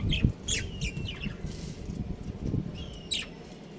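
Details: Pair of breeding budgies chirping busily: several quick high squeaky notes and short downward-sliding whistles packed into a few seconds, over low household hum.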